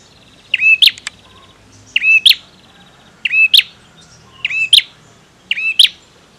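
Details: Bar-winged prinia, a male in full song, gives five quick phrases. Each pairs a bright upslurred whistle with a piercing click, spaced just over a second apart, over quiet background.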